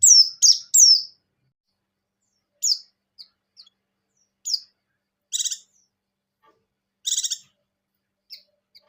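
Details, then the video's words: Buxtoni-type white-eye in breeding condition, ngecir song joined with ngalas: a rapid opening run of three bright downslurred whistles, then scattered thin slurred notes and two dense buzzy rattling trills. "Suara Burung Pleci Gacor | Pleci Ngecir Sambung Ngalas"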